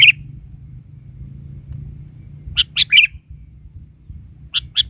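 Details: Sooty-headed bulbul delivering short bursts of sharp, bright chirps, one at the start, a three-note phrase in the middle and another near the end, with a low rumbling background throughout.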